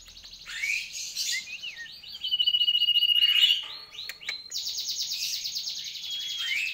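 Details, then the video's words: Sooty-headed bulbul in lively, persistent song: a jumble of buzzy, rattling notes, then a rapid pulsed trill, then a fast chattering phrase with a downward whistle at the end. A steady thin high tone runs underneath. "Asyiknya mainan burung Sirtu Gacor"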